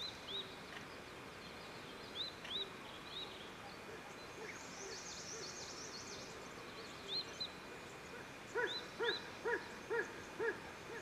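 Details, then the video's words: Satyr tragopan calling with visible exhalations, a run of six low, wailing notes about twice a second near the end, over thin chirps from other birds and a brief buzzy hiss. "The Rare Satyr Tragopan Call"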